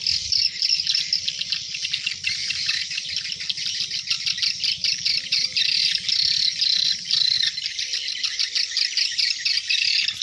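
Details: Dense high chatter of hundreds of swiftlets coming into the nest at dusk, rapid ticking and twittering in a steady band, loudness rising and falling in quick surges.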